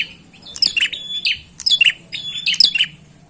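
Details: Bar-winged prinia in energetic lure song: three bright, high phrases, each a sharp chip and a flat whistled note ending in a buzzy chirp, spaced about a second apart.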